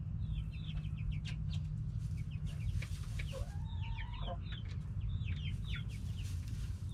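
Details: Backyard chickens, hens and roosters, calling: rapid high chirps throughout, with one longer rising then level call midway, all over heavy low rumbling noise.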